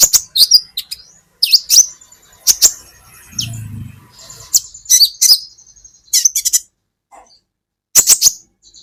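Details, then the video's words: Sunbird known as kolibri ninja, recorded for training songbirds: clusters of sharp, high chirps and short twitters in bursts with gaps, plus a soft low rustle midway. "Masteran buat KOLIBRI Ninja Bahan Agar BUNYI"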